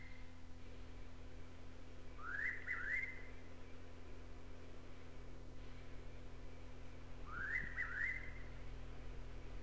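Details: Noisy (buff-breasted) Pitta in North Queensland tropical rainforest, likely Paluma Range north of Townsville, gives two brisk, rising three-note whistled phrases about five seconds apart over a steady low hum; old cassette recording.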